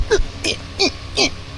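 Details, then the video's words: A kookaburra gives four harsh, falling, chuckling notes, repeated about every 0.4 seconds, over a low background rumble. "The humbe Kookaburra"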